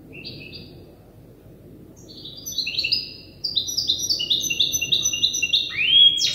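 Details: A young goldfinch hybrid practising song learned from an older hybrid. A short double twitter, then a pause, before a long accelerating chain of clear, bright high notes ends in a sharp buzzy flourish.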